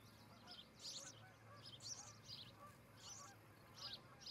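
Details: Osprey calling at its Charlo, Montana nest on a July 2018 morning, from a nest camera; harsh, high, rasping bursts come in clusters roughly once a second over steady low hum.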